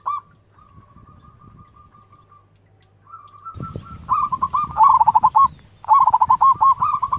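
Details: Zebra dove, a local bird, singing loudly: a faint level trill, then loud rolling cooing phrases with quick stuttered notes, two bursts near the end, low rumbling background noise.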